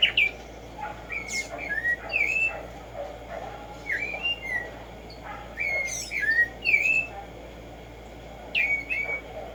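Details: Black-striped sparrow (Arremonops conirostris, locally Tumba Yegua) singing in the morning: a string of clear slurred whistles, rising then dipping, given in loose groups with short pauses, over a steady low hiss.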